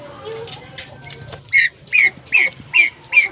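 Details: Kept pheasants calling: after a stretch of low murmuring voices, a bird gives five sharp, downslurred squealing notes, evenly spaced about every 0.4 seconds.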